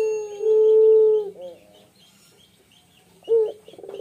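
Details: A singing male spotted dove holds one long, even coo that ends in a quavering wobble. After a quiet gap comes a short bent note and a new stuttering lead-in.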